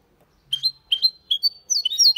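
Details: Goldfinch × canary hybrid singing Málaga-style: three or four spaced, upward-sweeping chirps, then a quicker burst of high, tumbling notes; a faint low hum early on.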